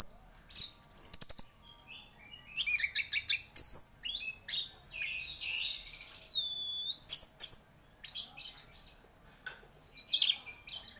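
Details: Champion orange-headed thrush, known locally as anis merah, singing a long varied run of high sweet whistles, slurred notes and quick chattering twitters, with barely any gaps between phrases.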